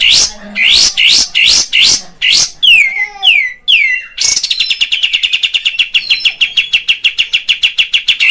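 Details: Olive-winged bulbul (kapas tembak, Padang type) singing a lure to provoke rivals: loud harsh chirps, then downslurred whistles, then a long rapid rattle of evenly spaced high chattering notes.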